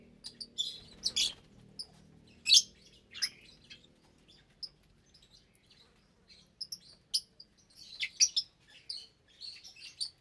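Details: At meal time in an aviary holding about 25 lovebirds of parblue, euwing, opaline, lutino and albino colours: bursts of high, shrill chirps, sometimes in quick clusters, with a brief rustle early on.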